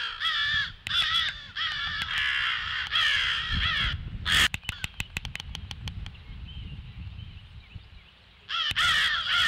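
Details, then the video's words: Crows giving the alarm at 08:50 on 18 February: a burst of harsh caws, then a lull filled with sharp clicking and tapping, before the cawing resumes at the end. "CROWS ALERT"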